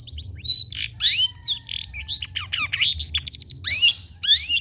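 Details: Long-tailed shrike song, used as a lure to make reluctant shrikes sing: harsh squawky notes mixed with sweeping whistles and short chirps in an uneven, varied phrase.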